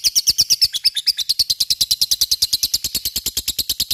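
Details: Lovebird ngekek for provoking a reply from other lovebirds; a fast run of sharp, shrill chirps, around ten per second, clearer and more separated at the start then blending into a dense chatter.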